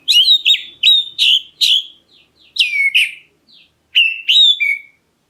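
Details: A black-breasted Oriental magpie-robin calling to provoke other birds into answering; loud scratchy-edged whistles repeated in pairs about every half second, soft quieter notes in short gaps, closing with three more whistles.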